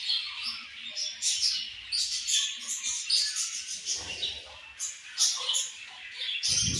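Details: Budgerigars chatter in rapid high chirps and squeaks that pulse in short bursts, with low rustling and a thump of handling noise near the end.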